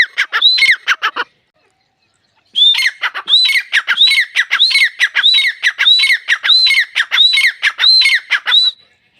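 A grey francolin calls loudly, with ringing high phrases that rise then drop, repeated rapidly about every half second in a long run after a brief opening burst.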